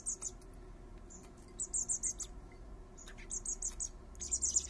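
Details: Young common blackbirds, three fledglings being fed by their father in a garden, utter rapid runs of piercing high chirps, three to five per run, with brief gaps and faint clicking between them.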